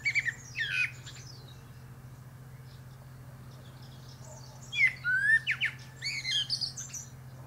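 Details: Common blackbird (Turdus merula) atop a pear tree: a warbled phrase with high twitters, silence for about four seconds, then a longer burst of fluted notes and scratchy high trills, over a steady low hum.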